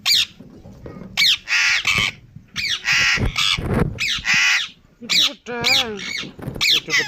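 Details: Harsh, raspy screeches from a pet Indian ringneck parrot come in spaced bursts, followed by a wavering, talking-like warble in the last seconds.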